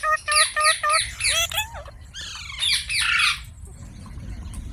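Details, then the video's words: Green parrot repeating short bright notes several times in quick succession, sliding into a curved whistle, then bursting into noisy rasping squawks before the sound fades to quiet background. "Green Parrot Sounds Videos | Funny Parrot Sounds"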